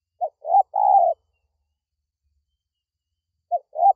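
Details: Lure call of a spotted dove, meant to draw in wild doves: a full phrase of a short note, a rising coo and a long sustained coo, then after a long pause a second phrase begins.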